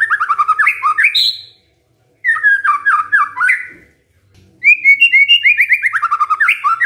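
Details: Magpie-robin song used as a lure to make a silent bird answer: rapid runs of bright, slurred whistled notes in three bursts separated by short pauses, ending in a fast rippling series.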